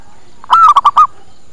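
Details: Single zebra dove lure phrase meant to attract doves: a long, slightly falling coo followed by three short, punchy coos in quick succession.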